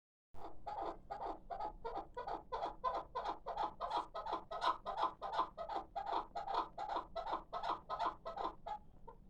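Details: Six-month-old hybrid chukar partridge chick, praised as a calling bird: a steady series of harsh, clucking chuk notes, roughly three per second, continuing for the whole stretch over faint background noise.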